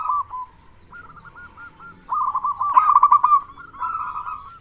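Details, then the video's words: Local zebra dove, a lure to spur other doves to call, gives soft rolling coos that break into a louder, quick-trilled phrase, followed by further stuttering notes. "Perkutut Lokal Gacor Suara Besar Pancingan Burung Perkutut Agar Cepat Bunyi"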